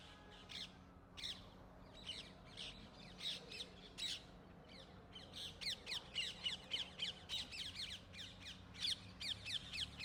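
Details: Rose-ringed parakeets in Gurugram, India, give harsh, grating screeches in quick bursts, several birds calling over one another at about three or four calls a second.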